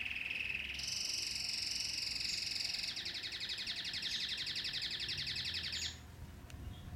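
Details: Belgian canary (Serinus canaria domestica), song.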